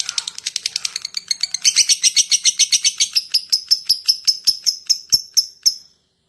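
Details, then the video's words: Lovebird 'ngekek' chatter for luring other lovebirds: rapid high ticking that grows louder, then slows into spaced, sharp whistled chips before stopping. "SUARA LOVE BIRD ( LABET ) NGETIK, NGEKEK PANJANG AMPUH UNTUK MEMANCING LABET YANG LAIN"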